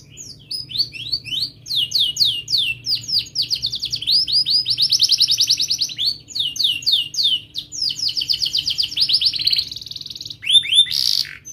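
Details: Canary song used as a tutor recording for young canaries learning to sing, with sharp chirps and rolls: long runs of rapid repeated high syllables, upswept notes and dense trills shifting from tour to tour, ending in a brief buzzy burst.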